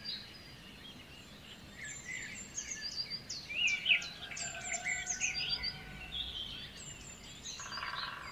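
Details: White-rumped shama song played to coax a stressed bird into singing; rapid varied chirps and short whistled notes repeated in quick succession through the middle, over a constant hiss.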